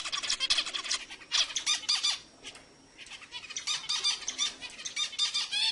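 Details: Zebra finch singing to excite other birds: continuous buzzy, nasal chattering notes repeated quickly, broken by a short quiet gap near the middle, with a faint steady tone in the background.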